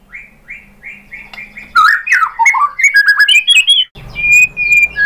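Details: White-rumped shama: a steady row of six quiet, similar chirps, then a loud, tumbling medley of fluty whistles, and finally a few long, pure high notes over a low hum.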